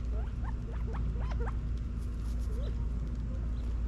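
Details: California quail feeding and running around in a Las Vegas, Nevada back yard, fall 2022. A handful of quick upward-sweeping chirps sound in the first half, followed by one lower slurred note, with constant low background hum.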